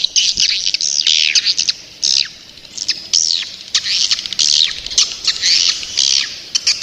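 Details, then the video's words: Young swiftlets give repeated shrill, downslurred chirps in short twittering bursts, each lasting under a second, separated by brief pauses. "Suara walet ngeri sedap, Walet Remaja"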